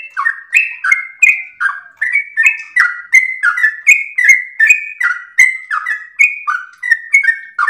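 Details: Sooty-headed bulbul (trucukan) singing in gacor ropel style, a long-breathed, melodious song for training other birds: rapid run of liquid whistled phrases, each slurring down then jumping up, about three per second with no pause. Nothing else audible.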